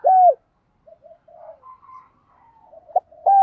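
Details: Spotted dove, male and female, calling to excite and train other doves in the morning: a loud falling coo opens, quiet soft coos and murmurs follow, then another strong coo begins.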